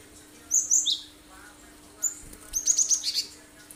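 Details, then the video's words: Cinereous tit singing energetically as a lure to prompt other birds to imitate it: a quick three-note high phrase, a lone note, then a rapid trilled series of bright repeated whistles. "Full tembakan tajam bagus buat pancingan burung lain"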